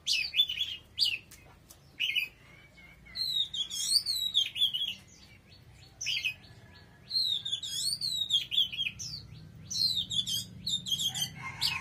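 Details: Oriental magpie-robin in full song: sharp chips followed by long, looping whistled phrases that rise and fall, delivered in separate bouts with short silent gaps between them.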